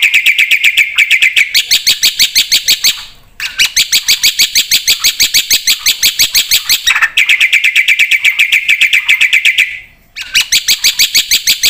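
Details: Black-winged myna in full song: long bursts of rapid, harsh, ringing notes delivered in a steady stream about two per second, broken by two short silences.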